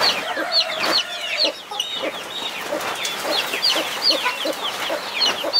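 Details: Hen watching over her 21 chicks gives a sustained low tonal note, then steady soft clucks roughly every half second beneath bright, high chick peeps.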